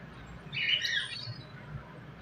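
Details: Pet finches: one brief, harsh, squawky chirp rising and falling in mid-range, standing out against quiet room background with a faint low hum.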